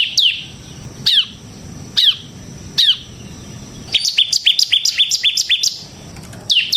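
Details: Bar-winged prinia singing 'gacor' for luring and tutoring birds: single loud, high, downward-slurred notes spaced about a second apart, then a rapid burst of short high chirps before another slurred note.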